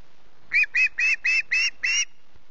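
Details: Early-morning screeching from a hungry osprey chick on the Loch Garten nest, 14 August: six evenly spaced, sharp, high whistled notes in quick succession.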